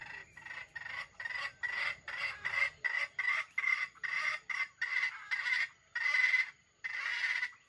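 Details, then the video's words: Stuttering, grinding crow of a red junglefowl used as a trap bait bird, a long chain of choppy harsh bursts with a few longer drawn notes near the end. "The bait of the wild chicken trap crows with a stuttering voice that sounds like grinding"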